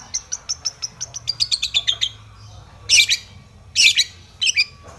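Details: Aggressive Long-tailed shrike song, a rival-provoking lure: quick repeated high chirps accelerating into a trill, followed by three loud harsh rasping bursts about a second apart.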